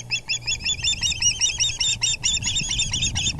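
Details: Ospreys at the nest, evening of April 6, 2020, as the male arrives carrying a big fish: loud, dense, urgent chirping, shrill notes tumbling over one another in quick pulses with scarcely a gap, faint low hum beneath.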